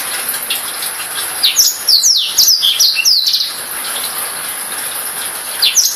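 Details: Against a steady hiss, a Black-throated canary delivers a short run of rapid, high downslurred whistles, pausing before a final couple of notes near the end.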